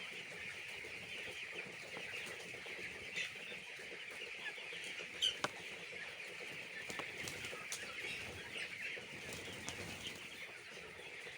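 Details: A flock of chicks on a poultry farm peeps continuously in high, thin notes, while a couple of sharp clicks break through partway along.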